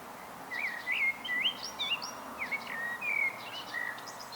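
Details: Solo song of a common blackbird, a run of mellow whistled and warbled phrases with rising and falling slurs and a few thin higher notes mixed in, against a soft hiss.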